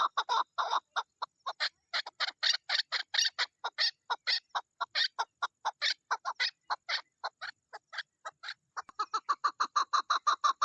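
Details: Female chukar partridge calling in the mating season, a long, dense stream of harsh, rasping chuk notes, irregular in spacing, with a brief pause near the end before a quicker burst resumes.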